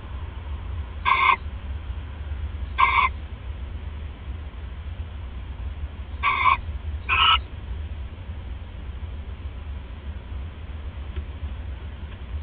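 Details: Female owl at 1:30 AM on 31 December 2014, watched on a live camera eating a rat after casting a pellet; four brief quieter rasping calls in the first seven seconds, then only a low rumbling hum.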